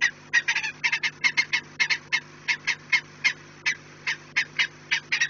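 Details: Peregrine falcons at their nest on 4 March 2019 at 16:28 call with quick grating kek bursts that thin out into evenly spaced single harsh notes, over a steady low hum.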